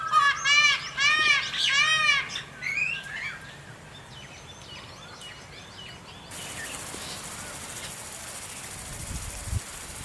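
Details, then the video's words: Indian peafowl (peacock) giving several loud, harmonic, nasal calls in the opening two seconds. These are followed by softer bird chirps and steady background noise. "Peacock Sound"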